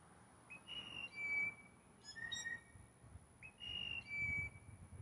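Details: Several blue jays taking turns whistling to win one female: a rising slur into a level whistle, a short chattery burst of notes, then the same whistled phrase again, each about a second and a half apart.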